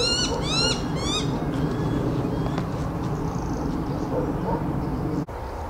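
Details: A male Black Sparrowhawk that has brought his mate food, around mating, gives three quick, high, arched mewing notes in the first second, then falls silent over a steady low rumble of wind.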